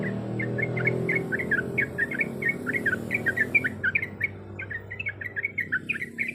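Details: Female yellow-vented bulbul calling for a male, giving repeated sharp, twisting chirps in loose groups of two or three over a constant low droning hum.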